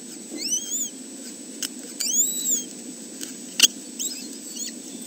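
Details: Three kestrel chicks in a nest, watched by a webcam at the Arne reserve on 30 May 2013. A few thin, high, arched squealing calls with a downward curl are heard, set among scattered clicks, taps and a faint background hiss.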